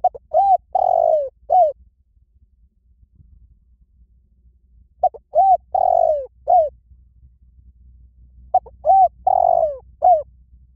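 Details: Spotted dove calling in three separate phrases about four seconds apart; each phrase has a few short soft coos around a longer, drawn-out, slightly falling coo; a low background hum throughout.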